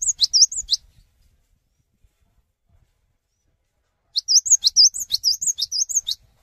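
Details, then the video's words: Singing Cinereous tit urging others of its kind to answer: a brief burst of high piping notes, a pause of three seconds, then a longer even series of rising flicks and dipping whistles. "GELATIK BATU GACOR SANGAT PANDAI MENGAJAK GELATIK BATU LAIN UNTUK IKUTAN BUNYI"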